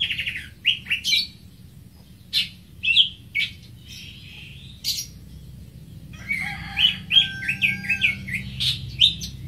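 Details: A greater green leafbird (Chloropsis sonnerati) gives scattered sharp chips and harsh notes with gaps between them, then switches to a lively twittering phrase of high chirps with a sustained whistled tone underneath.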